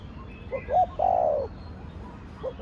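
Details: Spotted dove singing in Thổ Đồng voice: soft low hoots rising into one long, smooth, slightly falling coo, with the next phrase just starting and faint twitters of other birds.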